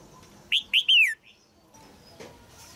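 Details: Caged female red-whiskered bulbul singing to stimulate an adult male: a loud phrase of three quick notes, rich whistles sliding down from high to mid pitch, followed by a faint short note and quiet background.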